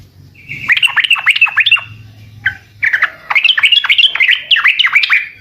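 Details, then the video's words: Lively, energetic yellow-vented bulbul song, original recording: fast rolling strings of liquid, bubbling notes in two long bursts, with a faint low hum in the background. "Burung Trucukkan video asli suara asli gacor Setel di rumah pasti pada nyaut"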